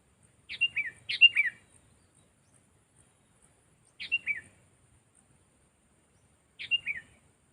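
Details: Sooty-headed bulbul, kept for training as a decoy bird, gives three short bursts of bubbly, quickly falling whistled notes, each lasting about half a second and separated by quiet pauses of a few seconds.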